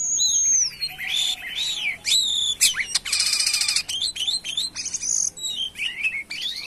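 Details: Jalak kapas myna in full, active (gacor) song: loud, varied whistles that sweep up and down, a harsh rattling burst near the middle, then more bent whistled notes.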